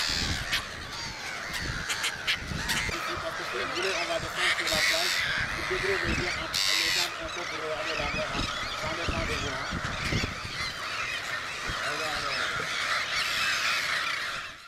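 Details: Slender-billed Gulls (Larus genei) at Langue de Barbarie, Senegal, in April 2010, calling together in a steady, overlapping chorus of harsh, nasal, honking notes, with no pauses through the whole stretch.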